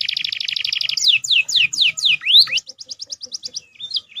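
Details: Canary song with prinia and crystal Javan sunbird-tit fills: a fast rattling trill breaking into swooping downslurred whistles, a rising note, then a quicker, softer chipping series.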